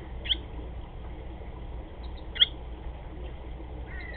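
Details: Barn swallow at a nest on 20 July 2010, 15:34: two short, sharp, high chirps about two seconds apart, with a faint twittering note at the end over a low steady rumble.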